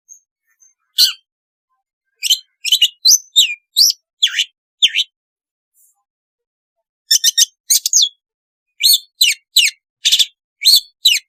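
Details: Long-tailed shrike, recorded as therapy for shrikes that sing little: bursts of sharp, high chirps and downslurred squawky notes in clusters, separated by silent gaps of a second or more.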